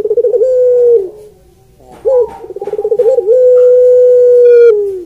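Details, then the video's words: Puter pelung (Barbary dove) cooing sweetly. A drawn-out note fades off, then a short upslurred note, a fast bubbling trill and a long sustained tone held over a second before it dips. "Suara Puter Pelung Merdu"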